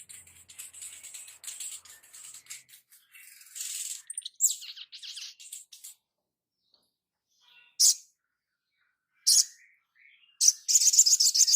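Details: High-pitched sunbird song from a master recording for training birds: a long, quiet run of rapid thin twitters, a brief pause, then loud sharp chirp bursts and a final run of quick notes.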